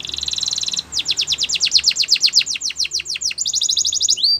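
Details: Canary training song: a fast buzzy trill, then a run of repeated descending whistled notes, then another quick trill ending in an upward whistle, over light background hiss.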